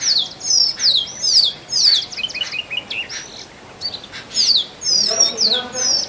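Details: Singing male Oriental magpie-robin courting a mate in forest: a run of high, sliding whistles repeated about twice a second, a short pause, then more bright downslurred phrases.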